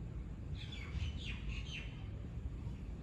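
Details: Common myna in Dubai, United Arab Emirates, giving a quick run of harsh, downward-sweeping chattering notes over about a second, set against a steady low rumble of traffic.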